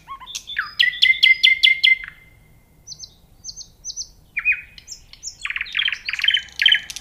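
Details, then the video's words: Nightingale song, loud and clear: a rapid trill of stacked notes sliding into a held whistle, a pause, three short high chips, then a rich jumble of fast varied notes and a rattling close. "صوت العندليب وجمال الطبيعة🤩Nightingale Sound and Nature Beauty Psychological Comfort"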